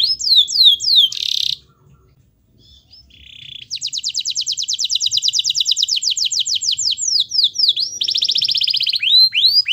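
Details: Prolific canary song meant to get a reluctant canary singing: a few swept notes and a buzzy burst, a short pause, then a long fast rolling trill lasting several seconds before ending in curved whistles.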